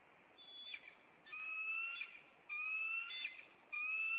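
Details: Nest pair of bald eagles in Maine on April 26 reacting to an intruder: long, steady high whistles about a second each, repeated with short gaps, a brief chip between them.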